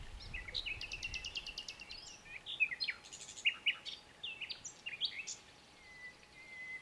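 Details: Common nightingale in clear song: buzzy rapid note series, harsh churrs and short whistled flourishes, varied and fast, with a quiet background.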